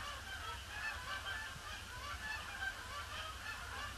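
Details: Circling Canada geese by a pond on a grey Boxing Day in December 2015, preparing to land; a muted, dense chorus of overlapping honks with occasional clearer individual calls above a low rumble.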